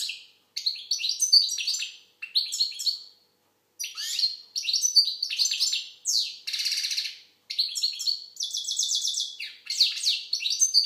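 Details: An Algerian goldfinch (maqnin) sings continuous, varied high twittering, with buzzy rasping trills and a rapid rattling stretch near the end, with only brief pauses.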